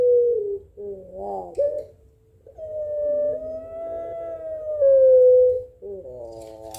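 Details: Puter pelung Barbary dove calling back and forth with a rival, giving a sustained, smooth coo of nearly three seconds between shorter rough, wavering notes.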